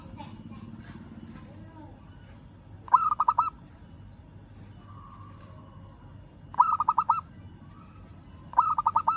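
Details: Three short rolling phrases of rapid cooing notes from a local zebra dove calling a rival, spaced several seconds apart, with a quiet low hum between them.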